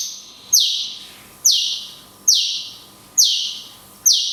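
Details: Cungkok, "tembakan kunti panjang" style with natural pauses, a training recording for songbirds: five loud, piercing notes that drop in pitch and fade, spaced just under a second apart.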